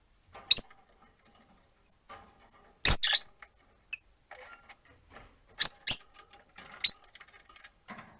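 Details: Rosy-faced lovebirds, four caged at a window perch, give a handful of loud, piercing single chirps, some in close pairs, with quiet street and room noise between them.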